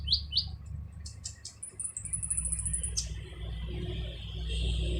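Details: Kolibri ninja sunbird singing its harsh master song for training other songbirds: two quick downslurred notes, sharp clicks, then a long, very high, rapidly pulsed trill, with constant low hum behind.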